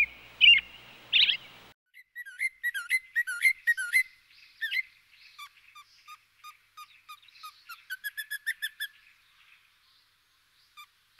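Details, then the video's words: Robin: two loud warbled notes open, then a long, quiet run of thin, high twittering and whistled notes. The notes vary in pitch and tumble quickly before trailing off into a few sparse peeps. "What does a Robin sound like?"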